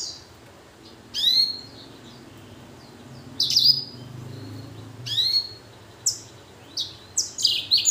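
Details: Hybrid finch from a blackthroat and canary cross, kept in an aviary and in full song: clear whistled slurred notes recur every couple of seconds, then quicken into short chirps near the end, over steady low hum.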